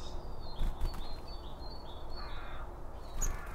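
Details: Wild birds eating around a feeder, recorded binaurally with two microphones set beside the feed: a few high, thin chirps and short whistled notes over a steady low rumble, with a louder sharp note near the end.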